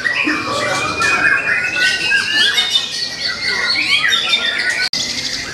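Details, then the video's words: White-rumped shama, a young bird from the forest with a repertoire drawn from all of nature; flowing whistled phrases with long steady tones and fast chatter, broken by a brief dropout near the end. "Murai batu Muda hutan, materinya sealam raya"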